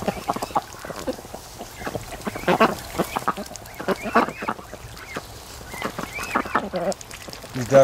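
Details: Raised ducks lounging and sleeping at the mouth of a lake creek on a sunny afternoon, some mating; scattered harsh quacks and a few longer, nasal, honking calls break through a murmuring background, with a louder burst near the end.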